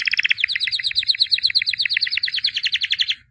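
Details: Albino white canary, said to be a 2017 champion, singing a steady fast rolling trill of about ten pulses per second, bright and chirping, for three seconds.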